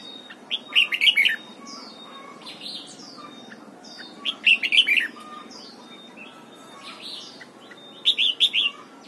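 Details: Morning training of a red-whiskered bulbul toward the wild-style double-note song ('âm kép già rừng'). Rich warbling phrases of several bright whistled notes repeat about every three and a half seconds, with faint thin chirps between them.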